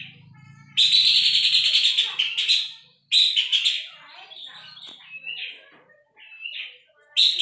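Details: Tutor recording of a Puff-throated babbler for songbird training: a loud, rasping, rapidly pulsed rattle, a second shorter burst, then a few separate clear whistled notes, ending with another harsh burst; low hum at the very start.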